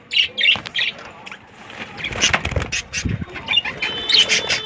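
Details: Breeding colony of roughly 100 pairs of budgerigars, busy chattering of short chirps and warbles from many birds at once, mixed with wing flapping and rustling noises.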